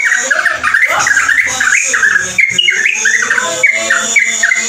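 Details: Yellow-vented bulbul delivering a fast ropelan song: bubbling, chattering whistles that rise and fall in tight clusters, with brief gaps and a constant high background hiss.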